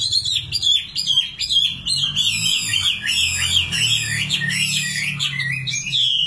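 A common nightingale sings a rapid, unbroken run of high, varied phrases: sweet whistles, quick trills and chattering notes. A faint low hum sits underneath.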